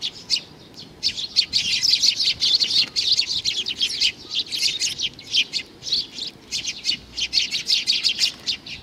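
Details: Young sparrow chick chirping nearly nonstop, a dense stream of high, scratchy notes at a quick uneven pace, growing busier in the middle.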